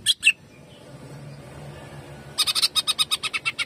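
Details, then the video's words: Greater green leafbird in jamtrok style: two loud chirps, a quiet stretch with low background hum, then a fast rattling series of about twelve bright, slightly buzzy notes. "CUCAK IJO GACOR JAMTROK TEMBAKANYA BIKIN PANAS"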